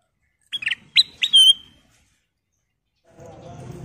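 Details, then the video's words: A sooty-headed bulbul (kutilang emas) gives a quick burst of four bright, liquid whistled notes, the last one drawn out, followed by a low murmur of background noise. "Kicau Burung Kutilang Emas Gacor"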